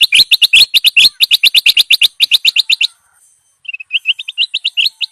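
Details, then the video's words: Bulbul giving rapid series of sharp, high chirps repeated several times a second for about three seconds, then a short pause before a second run of quicker, slightly rising notes. "Burung Family Merbah/Bulbul"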